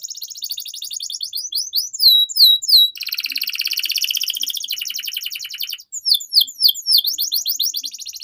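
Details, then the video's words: Canary song used as training for young canaries: rapid trills, a few loud descending whistles, a long even rolling trill, then more sweeping notes. "MASTERAN Burung KENARI Gacor Panjang || Suara Pancingan KENARI Paud Agar Cepat Gacor"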